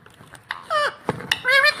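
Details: Rose-ringed parakeet, green ringneck, giving a few harsh, nasal screeching calls, some downslurred, separated by short gaps.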